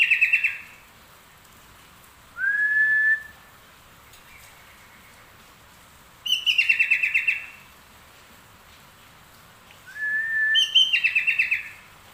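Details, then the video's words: Sooty-headed bulbul singing actively in the style learned from the trucuk: loud bubbling, rolling phrases alternating with short rising whistles, each burst lasting about a second and separated by pauses of a few seconds in otherwise quiet surroundings. "kutilang isian trucuk gacor"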